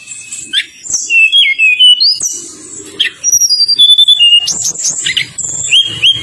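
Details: Tledekan gunung lure song intended to get lazy birds answering. Scattered whistles and sharp upslurs separated by short pauses, with quick chirps and a faint low hum underneath.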